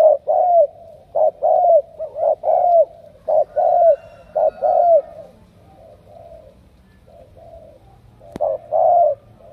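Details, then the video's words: Spotted dove from Cà Mau, Vietnam, selected for its cooing: a series of low, mellow two-part coos, then a pause of about three seconds, a sharp click, and two more coos. "Tuyển đồng siêu gù"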